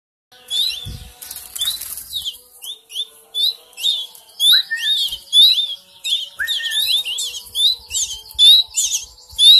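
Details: Three-week-old canary chicks being hand-fed; high, thin, rising cheeps repeated rapidly in overlapping bursts, with a couple of lower notes and a soft thump early on.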